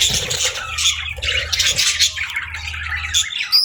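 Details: Morning chirping of budgerigars, a busy tangle of scratchy warbles and short bright squeaks pouring out without pause, with a low droning hum underneath.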